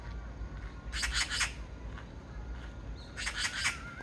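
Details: Oriental magpie calling in Korea: two bursts of quick raspy chattering notes, each about half a second long, separated by a pause, against constant low rumbling background noise and a faint thin whistle.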